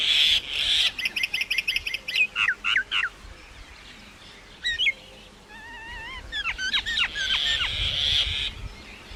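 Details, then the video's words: Myna calling: a loud buzzy rattling burst, several sharp swooping whistles, paired wavering whistled phrases, then a hoarse hissing rasp, over steady outdoor background noise. "maina sound Effects"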